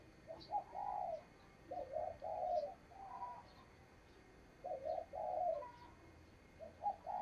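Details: Caged decoy spotted dove giving an urging coo used to provoke wild doves for trapping: short hoarse two-part coos, repeated in clusters of phrases with pauses between, over a steady hiss with faint high ticks.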